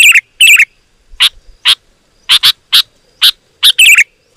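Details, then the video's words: Loud sooty-headed bulbul song for calling wild birds: a couple of liquid warbled phrases, then single and doubled sharp chirps spaced irregularly, otherwise quiet. "Suara Burung KUTILANG GACOR, Rapat dan Lantang Burung Kutilang Liar Auto Emosi dan Mendekat"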